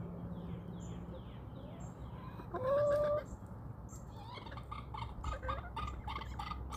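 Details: Backyard chickens roaming outdoors in the countryside: a sustained, even-pitched call lasting under a second, then a run of rough, stacked clucking notes. Small songbirds chirp in quick descending phrases at the start.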